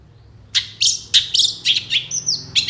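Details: Long-tailed shrike, full isian song used for lure training: a string of sharp, slightly harsh high notes roughly every quarter second, broken by a smooth falling whistle near the end.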